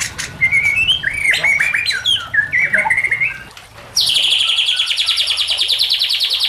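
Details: White-rumped shama song for luring and training shamas: a run of warbled whistled notes, then a sudden loud, high, rapid buzzy trill that carries to the end, with trickling water behind.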